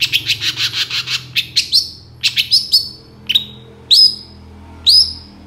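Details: Long-tailed shrike lure for birds reluctant to sing: a quick rattle of even notes, then spaced sharp whistled calls that drop and level off, repeated about once a second.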